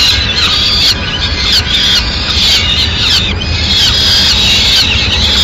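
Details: Female Peregrine Falcon at the nest in Madrid, 6 May 2016, bringing a pigeon for breakfast, gives harsh, grating, high screeches almost without pause, with sharp downward strokes about every second over a low background rumble.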